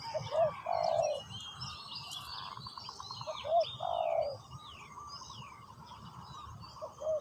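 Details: Decoy spotted dove in ground trapping, calling to draw in wild birds: softer coo phrases, a quick double note then a drawn-out burry coo, repeated a few times under busy high chirping and squeaky songs of other small birds.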